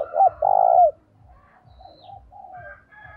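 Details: Spotted dove calling to lure wild doves and train a decoy bird, in a lively urging voice: two short hollow coos, then one long steady coo, followed by fainter birdsong and low rhythmic ticking.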